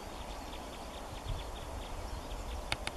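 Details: Part of a flock of 47 crossbills at Clumber Park on 14 January 2014 gives faint, sharp, high 'jip' notes several times a second over a low rumble, with two loud clicks near the end.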